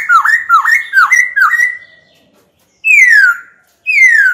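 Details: White-cheeked laughingthrush, a caged bird in training, singing to provoke a rival into fighting: four quick dipping-then-rising whistles in a row, a pause, then two long downward-sliding clear whistles.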